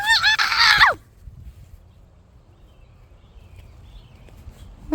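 A goose gives one loud, harsh, wavering honk lasting under a second, followed by quiet outdoor background and another call just starting at the end.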